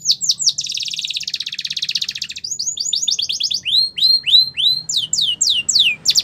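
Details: Canary song for singing practice: a few quick notes, a sustained buzzy roll of over a second, then a series of rising-and-falling high chirps.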